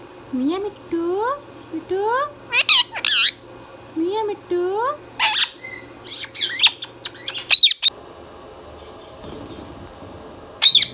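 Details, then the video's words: Pet green Indian ringneck parrot indoors, giving a series of rising, harmonic whistled sweeps, then harsh, raspy high squawks in quick bursts, with a short speech-like phrase near the end against a low room hum. "Indian Ringneck Parrot | Ringneck Parrot Talking"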